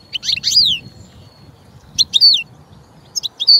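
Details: A European goldfinch sings short bursts of high, tinkling twitters, each ending in a bright down-slurred note, with pauses between three phrases.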